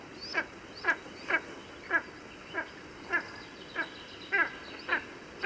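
Spanish Imperial Eagle giving a series of harsh, barking calls, roughly two per second at an uneven pace, over a faint steady hum.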